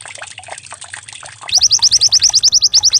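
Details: White-eye song used as a decoy to get birds singing, compared to a canary: a soft trickling hiss, then a rapid, evenly spaced string of bright, high rising chirps.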